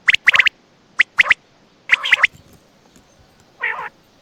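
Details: Quail (batair) at night near Attock giving short bright clipped notes in tight clusters, then a lower raspy nasal burst near the end; quiet background.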